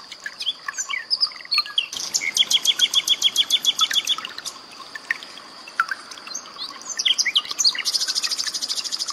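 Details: Common nightingale song mixed with trickling water for training cage birds such as magpie robins. Opens with scattered chirps, then a rapid regular series of high repeated notes, quieter chatter, and a dense buzzy burst at the end.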